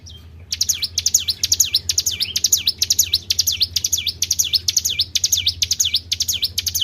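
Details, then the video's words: Tribel bird lure recording: after a brief quiet start, a steady string of high whistles, each dipping and rising sharply, repeated about twice per second until the end. "PANCING BUNYI BURUNG TRIBEL"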